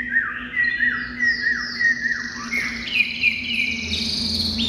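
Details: A caged Chinese hwamei in full song right after coming out of its covered box. Rich whistles form a run of quick downward-slurred notes, repeated about twice a second, then climb into higher, brighter warbling.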